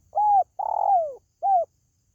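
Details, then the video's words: Spotted dove calling, a recording meant to attract pet birds: three clear mellow coos, short, then long and gently descending, then short again, forming one phrase of about one and a half seconds. "SUARA PANGGILAN BURUNG TERKUKU"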